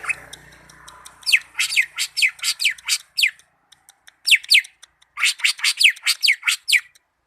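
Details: Greater green leafbird from Malinau singing long runs of quick, falling whistled notes after a soft murmuring start, with one short pause mid-song.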